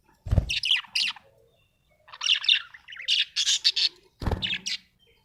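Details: Chirping of a happy budgie: clusters of high, scratchy warbled chirps in several bursts, with two sharp low knocks, one near the start and one near the end.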